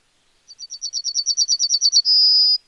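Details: Yellowhammer song: a quick run of about fourteen short, sharp, high chirps in a steady rhythm, rising slightly in strength, then one long drawn-out high note at the end; clean, with no other sounds.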